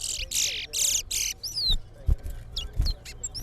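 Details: Towa towa bird singing in a singing competition against a rival bird; harsh buzzy bursts alternate with quick high whistled slurs and sharp chips, with low thumps and background noise.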